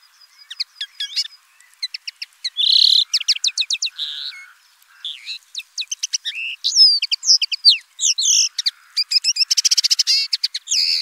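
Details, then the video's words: A common linnet sings a fast, varied twittering of high chirps, short trills and brief buzzy notes, running almost without pause, with no other sounds. "BIRDS VOICE : The common linnet Bird"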